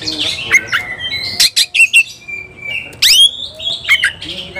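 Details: Agitated Oriental magpie-robin singing, seeking a rival to fight. Dense, rapid phrases of scratchy notes, sharp upswept whistles and a sustained level whistle, with abrupt loud chips in between.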